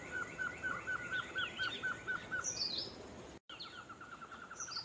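A Black-headed trogon gives a quick run of mid-pitched clucking notes, about four a second, then starts a second run; other birds chirp and trill higher behind.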